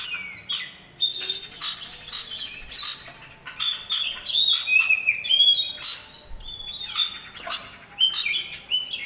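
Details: Lively male common iora calling for a female, delivering a rapid, varied series of bright whistles and clipped chirps in bursts, with slurred notes jumping up and down in pitch throughout.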